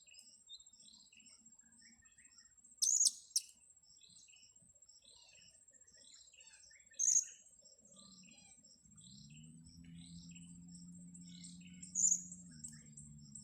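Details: Wild blue-crowned hanging parrot being lured and caught on grass: three brief groups of piercing high chirps spaced several seconds apart, against a constant high-pitched insect whine, ticking insects and a low hum in the second half.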